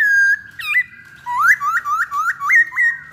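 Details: Chinese hwamei lure song: a long held whistle, then a run of five rising, hooked whistled notes repeated in quick succession, clear and loud.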